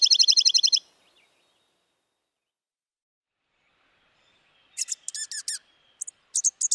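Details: Dark-eyed junco opening with a quick, even trill, then after a long silence a cluster of high twittering chips and a few sharp call notes.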